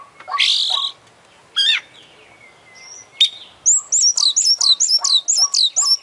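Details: Energetic champion Oriental magpie-robin with full isian song: a couple of loud rich phrases and a long thin whistle, then a rapid run of high, downslurred whistled notes repeated about twice a second.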